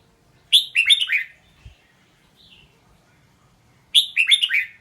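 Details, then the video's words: Red-whiskered bulbul singing: two bursts of quick, warbled, bubbly notes, each phrase of four or five slurred syllables, separated by about three seconds of near silence with a faint thin note between. "เสียงร้อง นกกรงหัวจุก"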